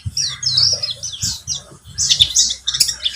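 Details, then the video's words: Buxtomi white-eye lure song meant to prompt singing: bright high slurred whistles and chirps in quick succession over a steady low electrical hum. "Pancingan pleci buxtomi agar bunyi"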